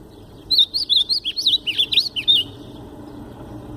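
A White-throated Seedeater sings a quick two-second phrase of about ten sweet, sliding whistled notes in the style of the Ultramarine Grosbeak, over a faint low hum.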